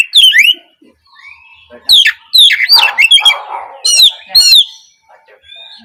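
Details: Untrained Oriental magpie-robin of the spotted 'trotol' kind giving a morning lure song to coax other birds to sing. Bright sweeping whistles and twisting phrases are mixed with some rougher, scratchy notes in the middle.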